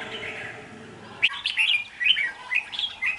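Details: Red-whiskered bulbul decoy displaying, 19 February 2023: after a second of background hiss, a lively series of short whistled and chirped notes follows in quick, uneven succession.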